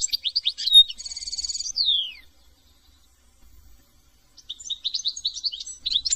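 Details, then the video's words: European goldfinch (Carduelis carduelis) singing: rapid, tinkling high twitters with a nasal buzzy note and a falling slur, a short pause, then more bright chattering phrases. "chant de chardon"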